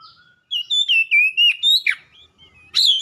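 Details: Oriental magpie-robin, or kacer, singing for a training track: a chain of pure whistled notes wavering around mid pitch, then a short burst of two rougher notes, a pause, and one final bright whistled phrase.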